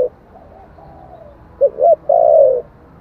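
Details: Spotted dove, song in the 'giọng thổ' voice style, meant to stir wild doves into answering. A faint, soft earlier phrase is followed by two short low coos and a long, loud, slightly falling coo.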